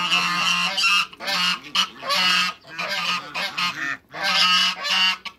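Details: A backyard trio of African geese, two males and one female, honks loudly in bursts about a second long, bright and brassy with rasping overtones, five or six calls in quick succession.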